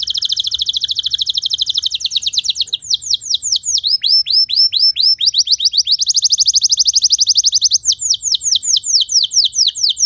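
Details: Canary singing, played to coach other canaries into long song: continuous rapid trills of downward-sweeping notes high in pitch, changing speed and tone every couple of seconds, loud and unbroken throughout.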